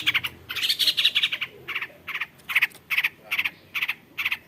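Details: Cendet, the long-tailed shrike, known for copying the calls of other birds: a short buzzy warble opens, then harsh, rasping notes repeat roughly twice a second with a faint background drone.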